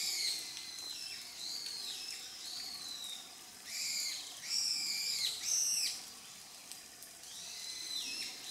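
Grey wagtail giving thin, high, slurred call notes, each arching up then down, repeated about once a second with a louder cluster midway; quiet background.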